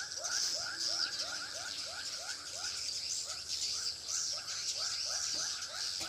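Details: Swiftlet lure call for a bird house in Pekanbaru, Indonesia: a fast, uneven run of short upward-sweeping chirps against a constant high-pitched hissing background.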